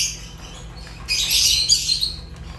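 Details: Fischer's lovebird, an African lovebird, giving a short burst of shrill, harsh high chirps after about a second of quiet background hiss.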